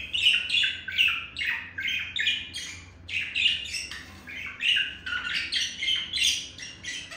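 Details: Male budgerigar courting a female with chirping and beak tapping. Continuous bright warbling chatter of quick, scratchy chirps and squawky notes, rising and falling in bursts about every half second.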